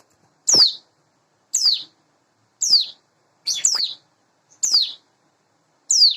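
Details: Hand-raised caged Sunda bush warbler, about eight months old, singing in the morning: six sharp, high notes, each sliding steeply downward, repeated roughly once a second with silent gaps between.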